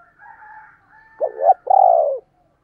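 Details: Spotted dove giving the thúc and gáy gọi calling coos: faint soft hooting notes, then a loud two-part phrase, a wavering low coo followed by a longer drawn-out falling coo.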